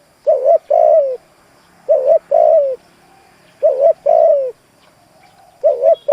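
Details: Decoy spotted dove luring wild doves with rapid repeated coos, a short paired note then a longer sliding-down coo, phrases coming about every one and a half to two seconds.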